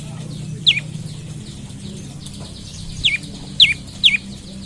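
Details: A morning lure call of the olive-backed tailorbird for prompting other tailorbirds to sing: one sharp descending note, a pause, then three more quick falling notes close together, with low background hum.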